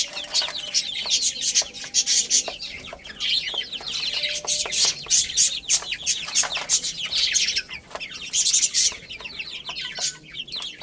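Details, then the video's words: Chorus of young chickens chirping as they play and eat: shrill, quick downslurred cheeps from many birds at once, mixed with bursts of tapping and scratching clicks. "Cute Little Chicks Chirping Sounds| Beautiful Chicks Playing and Eating"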